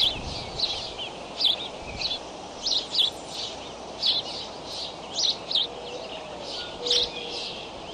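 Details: Decorah bald eagle nest cam, 7:28 am on May 20, eaglets flap hopping: clear sharp high-pitched chirps recur roughly every second or two above a faint hiss.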